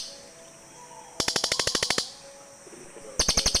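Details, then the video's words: Cililin birds call in turn: a long run of about a dozen loud, sharp, evenly spaced chattering notes, then a second rapid high burst starting soon after. "SUARA BURUNG CILILIN"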